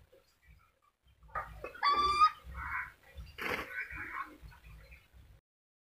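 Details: Black-capped lory from Papua, with harsh, nasal, harmonic squawks and screeches bunched between about 1.5 and 4.5 seconds, the loudest bursts near 2 and 3.5 seconds, over a soft low rhythmic thumping.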